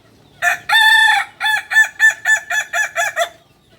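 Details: Crow of a Kukuak Balenggek rooster, a native breed of Solok in West Sumatra: one brief note, a held ringing note, then eight quick, evenly spaced syllables dropping slightly at the end, over a quiet background.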